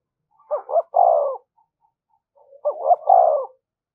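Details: Spotted dove giving thúc gù coos meant to lure wild doves: two short rising notes then a long falling coo, the full phrase repeated twice with a quiet gap between.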